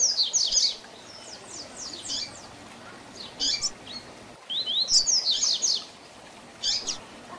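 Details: Double-collared seedeater singing a 'tui tui zel zel' tutor song used to train young birds: three bursts of rapid, high, whistled slurs separated by quiet pauses, with a short extra phrase closing the sequence.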